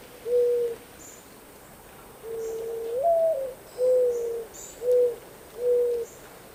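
A Mourning Dove gives its soft, low, hollow cooing: a short opening coo, a longer coo that swells upward, then three plain coos, slow and mournful.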